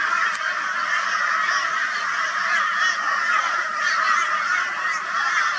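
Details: A flock of crows mobbing a barn owl, Brisbane, Australia, 22 February 2022; a sustained, even blanket of loud grating caws from many birds, with faint higher notes flickering above.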